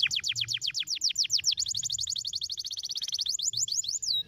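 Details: Canary singing to prompt others to sing: repeated falling whistled sweeps merging into a long, very rapid shimmering trill, ending with a rising-falling whistled note.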